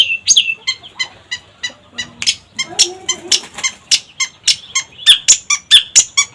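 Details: Cendet, the long-tailed shrike, singing briskly. Squeaky high notes repeat rapidly and fairly evenly, with brief lower warbles woven in partway through.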